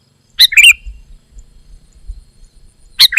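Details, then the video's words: Sooty-headed bulbul singing: a short bubbly, chirping phrase, then a second burst starting after a pause of over two seconds. Otherwise quiet, with only faint low rumble between phrases. "Kicau Burung Kutilang Gacor"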